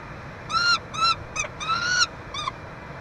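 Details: Peregrine falcon at a nestbox at the University of Montreal, Quebec, Canada, 22 June 2023, during chick feeding: five short, harmonic-rich wailing notes, some drawn out and slightly rising, over steady low background hum.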